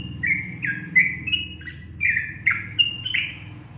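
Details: Yellow-vented bulbul in energetic song, giving a string of gurgling, warbled whistles that dip and rise, over a low background rumble.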